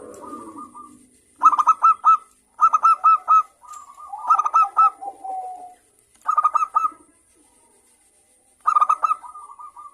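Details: Local zebra doves calling back and forth, used as a lure to stimulate other doves to sing: bursts of rapid, staccato cooing notes in clipped phrases of four to five, separated by soft lower coos and short silences.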